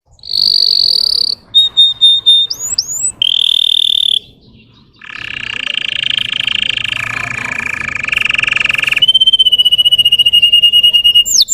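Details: Russian canary, a domestic canary, singing a lure song to stir up untrained birds: pure high whistles, short upward-slurred notes, then a harsh buzzy rolling tour and a long bright rapid trill, with a brief silent gap.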